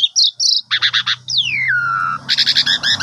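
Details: Asian pied starling song played in the morning to coax a sulking bird into singing: harsh nasal bursts, a long descending whistle, then rapid repeated buzzy notes.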